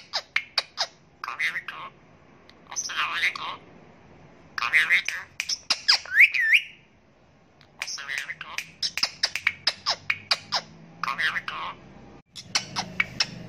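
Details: Talking Indian ringneck parakeet, known for saying 'Assalamu alaikum', gives repeated raspy, speech-like phrases broken by rapid clicking taps and one looping whistle, with brief quiet gaps between bursts.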